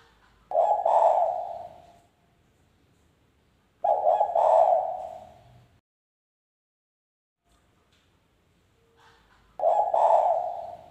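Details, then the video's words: Spotted dove lure call used to draw in other doves, long-trilling style: three low hoarse cooing phrases, each about one and a half seconds, repeated roughly every four seconds with quiet pauses between. "panggilan derkuku super gacor suara NGALAS,cocok buat pancingan derkuku bahan bakalan"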